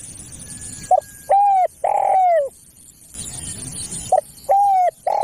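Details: Spotted dove call meant for luring doves: short coo, a clear coo, then a longer, hoarse, falling coo, the pattern restarting after a pause with faint hiss behind.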